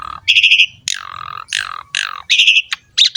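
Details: Asian pied starling singing loudly, a masteran recording for training birds: harsh rasping squawks alternate with falling buzzy notes and short chattering bursts.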